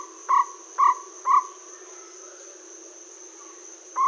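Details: Jungle owlet at Aldona, 4 March 2014, 7:16 pm, giving short, hollow, mid-pitched notes: three about half a second apart, then a pause and one more, over a steady high insect trill.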